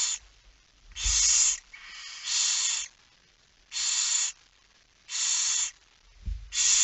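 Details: Barn owls at a nest at 22:45 during feeding: overlapping harsh, rasping hisses in close succession, some back to back, with two low knocks in the background.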